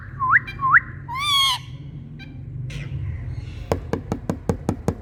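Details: Rose-ringed parakeets (Indian green parrots) with two quick rising whistled calls, a drawn-out rasping squawk, then a steady rhythm of about seven dry clicks over faint background hum.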